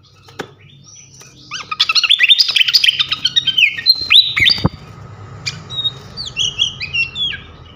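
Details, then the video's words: A champion flycatcher (srikatan kipas) delivers a fast, busy stream of high chirps and slurred whistles, followed by spaced downslurred whistled phrases over a steady low background hum. "gacoan ngeplong masteran asah mental burung jawara khas srikatan kipas"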